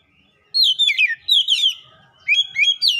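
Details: Lure song of an Oriental magpie-robin (kacer), meant to get a silent bird singing: rapid chains of looping whistled notes, dipping and rising, in two loud bursts separated by a short gap.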